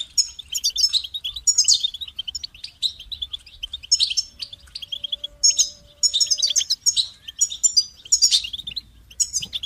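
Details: Singing goldfinch: repeated bursts of high twittering and buzzy rattles, phrases of roughly a second with short gaps, bright metallic notes throughout; a faint low steady tone runs briefly underneath midway.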